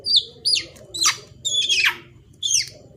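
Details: Young black-naped oriole kept for use as a lure, calling with five loud harsh downslurred notes, each sweeping steeply from high to lower pitch, spaced about half a second apart.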